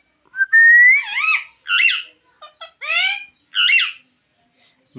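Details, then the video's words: Talking parrot mimicking human speech, opening with a long rising whistle that leads into rapid voice-like syllables with wavering harmonics, several short phrases separated by brief pauses, indoors with no other sounds. "Amazing talking parrot"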